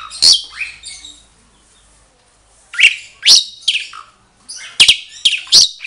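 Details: Asian pied starlings, a mated pair kept for breeding, trading loud squawky whistles and harsh chatter; a quiet gap of about two seconds, then a rapid run of sharp notes and clicks.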